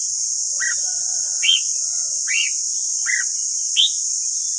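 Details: Red-whiskered bulbul singing for caged-bird voice training: five separate arched, slurred whistles spaced roughly every second, alternating lower and higher, with faint chatter and steady hiss.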